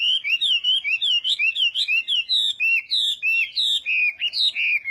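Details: Chinese hwamei in a singing contest, morning voice training: loud run of looping whistled notes, each bending up and down, repeated about three times a second, with small shifts of pitch through the phrase.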